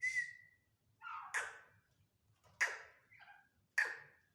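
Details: Black francolin calling: harsh, grating notes with broad noisy bursts about every second, mixed with a thin flat whistle near the start and softer buzzy notes between; quiet low rumble underneath.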